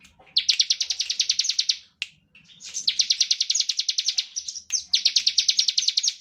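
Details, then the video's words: Bar-winged prinia, or ciblek, in standard ngebren song used to spur other prinias to sing: three long, rapid trains of rasping high pulses, nearly continuous, broken only by brief gaps and a sharp single note. "Ciblek gacor ngebren standar - Pancingan untuk ciblek"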